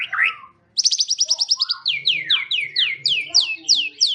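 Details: Champion white-rumped shama of competition standard: a short slurred whistle, then a rapid, even trill of high notes, followed by a series of loud descending whistled slurs repeated about eight times.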